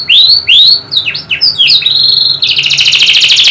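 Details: Canary singing loudly to encourage a quiet canary: strong upslurred whistles and swooping notes, then a long, harsh, rattling buzzy trill.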